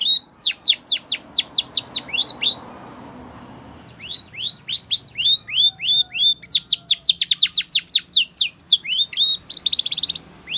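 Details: Spanish Timbrado canary song used for training canaries: rapid series of bright, steeply descending whistled notes repeated in fast trills, a short pause near four seconds, then renewed rolling phrases ending in a dense metallic flourish.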